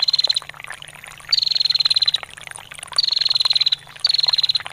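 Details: Female bar-winged prinia giving long ngetir calls, used as training material for songbirds: four bursts of rapid, even, high ticking trill, each under a second and repeated about every 1.3 seconds, over a faint background rustle.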